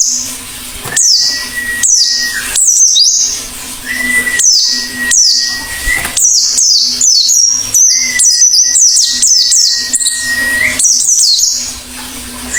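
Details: Oriental white-eye singing actively: quick high descending chirps, then a denser twittering run of rapid notes, with long flat mid-pitched tones and a low hum in the background.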